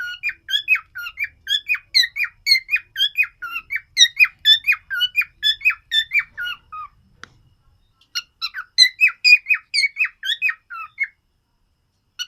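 A cockatiel sings a quick run of bright, chirpy whistles, each note sliding and repeated about twice a second.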